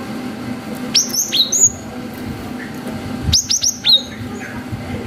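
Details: Cinereous tit, 'wucit panjang' lure song: two phrases of three or four piercing high whistles, each dropping steeply then levelling, separated by about two seconds of quiet over a constant low hum.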